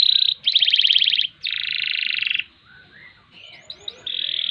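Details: Canary in full song, delivering long ngerek and ngerol rolling passages: a steady high buzzy roll, then a pulsed trill, another dense roll, a quiet gap with a few short rising notes, and a final buzzy roll.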